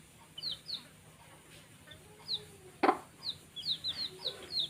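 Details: High, falling peeps from baby chicks at play come in loose bursts, with one loud knock midway and light scuffling behind them.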